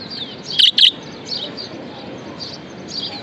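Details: Budgerigar kept as a pet, described as happy, giving one sharp double chirp near the start. Faint high warbling chatter follows through the rest.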